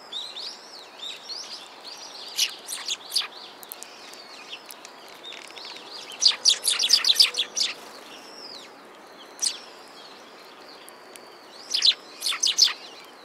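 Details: Group of sparrows at a Tenmangu shrine on 17 December 2016, chirping busily with overlapping high chips, rapid bursts building midway and again near the end, steady hiss underneath.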